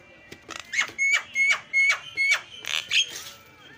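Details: Starling calling, used as a lure to draw calls from other birds: a string of about seven harsh, raspy notes, each roughly a third of a second apart.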